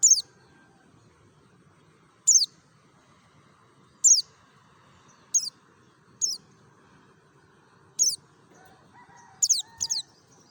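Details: Merapi mountain white-eye in ngalas style, a lure for other white-eyes: about a dozen piercing high notes falling in pitch, scattered singly and in close doublets, with faint low chatter near the end.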